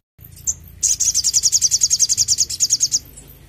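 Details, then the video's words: Sogon singing actively, meant as a training and prompting sound for captive birds: one sharp high chip, then a fast, steady run of about twenty thin, high pulsing notes lasting two seconds. "sogon gacor cocok untuk masteran dan pancingan bunyi burung bahan"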